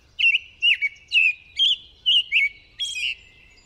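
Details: American robin (Turdus migratorius) sings its long "cheerly, cheer up, cheer up" song: six clear whistled caroling phrases, each rising and falling, about half a second apart, over a faint low hum.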